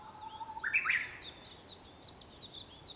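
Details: Japanese bush warbler singing at sunrise on 4 May 2021, just before 5 a.m.: a steady low whistle slides into a sharp, bright rising flourish, over a constant chorus of high, rapid chirps from other birds.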